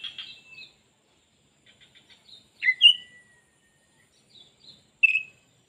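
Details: Oriental magpie-robin, tail fully spread, gives short whistled phrases, soft rattling notes and a loud chirp that slides into a long descending whistle, then a final bright burst.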